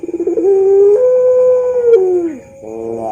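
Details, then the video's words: Ring-necked dove of the pelung type, a champion bird whose coo serves as a master song for training: one long sustained coo that steps up, holds steady and then sinks, followed by a brief burbling note. "MASTERAN SUARA BURUNG PUTER PELUNG JUARALANGSUNG RESPON"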